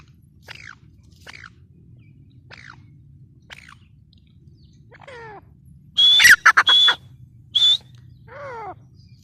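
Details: Grey francolin, locally called teetar. A series of thin, falling whistled notes is followed by a loud burst of sharp, high whistled calls, then further descending notes. The setting sounds quiet and rural.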